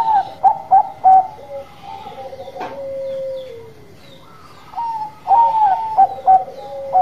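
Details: Perkutut Bangkok zebra doves singing eagerly, several short sharp coos leading into a drawn-out, softly rolling coo that falls at the end, then a fresh run of clipped notes.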